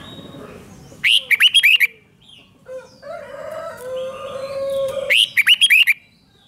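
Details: Red-whiskered bulbul rik song aimed at exciting caged birds: two loud bursts of quick, warbling notes four seconds apart, with a steady lower whistle and softer chatter from another bird between them.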